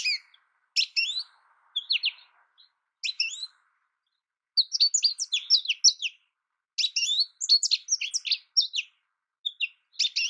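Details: An American goldfinch sings in bursts of high, quick chirps and slurred notes separated by silent pauses, with the later phrases longer and denser; a faint low buzz sits under the opening seconds.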